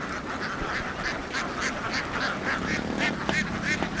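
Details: A flock of Vietnamese laying ducks, free-ranging across fields and boarding a boat, quacks in a dense, overlapping chorus: short raspy calls tumble over one another about three times a second, with steady background rumble.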